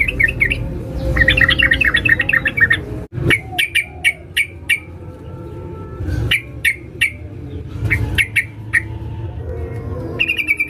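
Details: Female sooty-headed bulbul calling to a male, used as a lure: a rapid burst of bright chirping notes, then short quick phrases of sharp, chattering notes repeated in separate groups.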